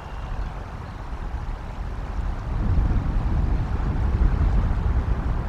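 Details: Steady low wind rumble buffets the microphone, growing louder after a few seconds, with no animal calls heard.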